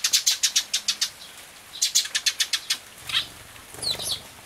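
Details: Tree sparrows visiting a feeding spot on a rainy day in June 2013, recorded on an Everio camera; bursts of rapid, high, sharp chirps in quick series, a pause, then another run and a few scattered notes, with rain pattering throughout.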